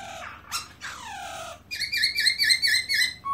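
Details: Black-throated laughingthrush singing: slurred descending whistles followed by a run of clear, repeated ringing notes with rich overtones, loud and melodious, recorded indoors with a low background hum.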